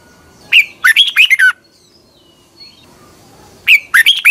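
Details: Morning song of a red-whiskered bulbul intended for training: two short bursts of quick, liquid slurred notes about three seconds apart, over quiet background hiss.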